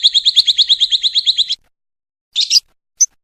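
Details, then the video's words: Lovebird kept for Indonesian song contests: a rapid, even, high pulsed trill lasting about a second and a half, followed after a pause by a harsh double chirp and one sharp note. "LOVE BIRD KUMAT"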